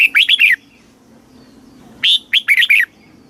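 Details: Caged red-whiskered bulbul, Thailand, singing the southern master-song style used to stimulate birds and train chicks: two bright phrases of four or five quick, slurred, liquid notes, about one and a half seconds apart.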